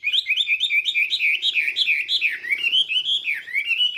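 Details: Chinese hwamei in its morning voice-training song, a continuous, rapid warble of bright whistled notes rising and falling in quick succession, varied and unbroken for the whole stretch.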